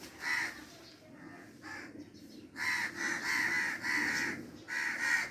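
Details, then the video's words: Crow giving a run of harsh, hoarse caws: a few scattered notes early on, then a dense burst of four or five rasping caws in quick succession, and a final caw near the end. "crow sound effect"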